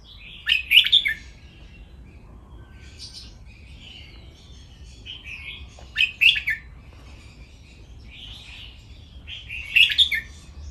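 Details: Caged red-whiskered bulbul, playful song used for song training: four bright, chirping whistled phrases come roughly every three seconds, each a quick cluster of sharp rising and falling notes, with softer warbles between them over quiet low hum.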